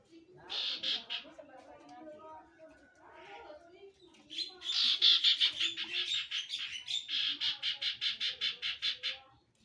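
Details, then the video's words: Common iora (cipoh) singing: harsh buzzy notes, then a long fast rattling series of pulsed, rasping notes repeated about three per second, with faint low background hum. "BURUNG CIPOH"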